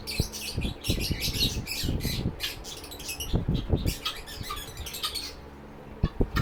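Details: Lovebird chirps and squawks from a rescue shelter for sick birds. Harsh, high, scratchy notes come in quick runs, with sharp low knocks and thumps between them and a quieter stretch near the end.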